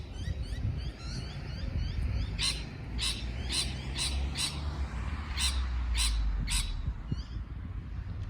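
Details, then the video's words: Parrot squawking in short harsh bursts, about one every half second in the middle section, preceded by faint soft twittering, with a strong low rumbling background throughout. "美丽的鹦鹉鸣叫beautiful parrot chirping sound call"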